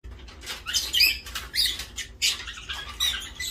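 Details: African grey parrots (Psittacus erithacus) fighting over a plastic bag in a small indoor room give harsh, scratchy squawks and chatter in quick bursts, mixed with the bag's crinkling rustles.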